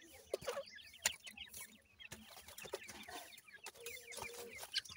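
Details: Grey francolin chicks about seven days old, feeding, produce a busy stream of short high chirps and slurred peeps. Scattered clicks and a brief lower tonal note are also heard.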